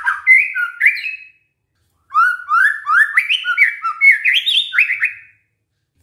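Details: Shama lure song (white-rumped shama) meant to make rival shamas answer: a short burst of whistled notes, a pause of nearly a second, then a long lively phrase of rising, ringing whistles.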